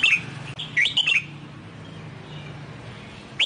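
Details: A newly bought, wild-caught red-whiskered bulbul in song training gives a few bright, warbled phrases, rising and falling between mid and high pitch, with a low hum in the background.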